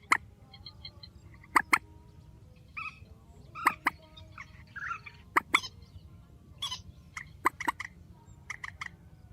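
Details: Strong calling of a grey-headed swamphen at night: sharp, nasal, clipped notes, mostly in doubles, spaced irregularly several seconds apart, with faint piping notes and a low constant hum behind.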